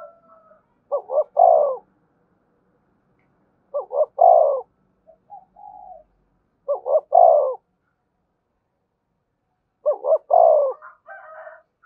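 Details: Decoy spotted dove coo for drawing wild doves in quickly: four phrases about every three seconds, each two clipped rising notes then a longer, falling low coo, with a faint soft note between.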